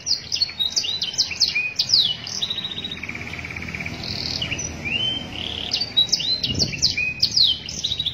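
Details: Canary master song for training young singers: quick chirped notes in bursts, a low rolled trill, a brief buzzy swell, then more rapid sweeping high chirps, with faint background hiss.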